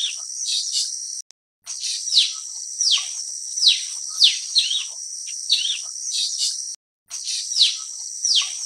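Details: Blue-winged Leafbird (Chloropsis cochinchinensis) giving sharp, high downslurred chips, a couple each second, over a steady high insect hiss, with two brief silent breaks.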